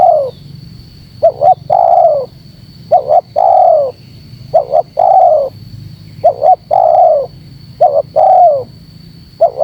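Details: Spotted dove cooing to pull birds together: repeated phrases of two quick notes and a drawn-out falling coo, about five in a row, with a thin constant high tone behind.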